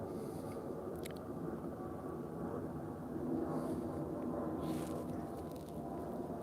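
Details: Steady low rumble of distant traffic or aircraft with a few faint clicks and no animal voices.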